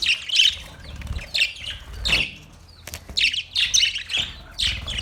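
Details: Budgerigars chirping in short bursts of bright, high, scratchy chirps and squawky notes, roughly one burst every second, with brief quiet spaces between.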